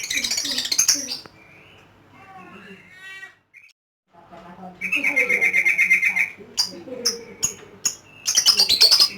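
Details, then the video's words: Lovebird ngekek: shrill rapid chatter at the start, a near-silent gap, then a long buzzy trill of quickly repeated harsh notes followed by sharp scattered chirps and a closing shrill burst. "LOVE BIRD || ngekek 8 kilo meter"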